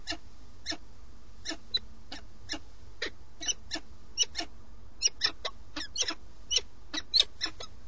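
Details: Peregrine falcon at a nest watched by a live webcam in Alcalá de Henares, Madrid, Spain, on 8 March 2017, while the male feeds; many short, sharp, harsh chipping calls, irregularly spaced, some louder and ringing, over a steady low hum.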